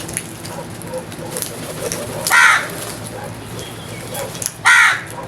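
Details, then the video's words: Crows calling outdoors, two short harsh caws about two seconds apart, with faint chirping of small birds and low background hum between them. "All types of Crows Sounds | Crows loud noise | Crows Crowing"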